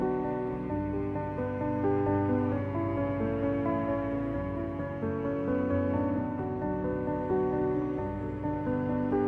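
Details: Calm ambient instrumental music with sustained tones plays throughout.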